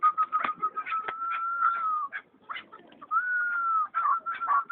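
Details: Chukar partridge (chakor) recorded on April 7, 2012: a long steady whistled tone broken by short harsh clucking notes, then a second sustained whistle with more rapid clucks at the end.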